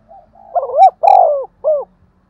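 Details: Spotted dove giving a 'thúc gù' urging coo used to stimulate decoy doves: one clear phrase of low, hooting notes, a rising double note into a long, slightly wavering coo, then a short final hoot, with quiet surroundings.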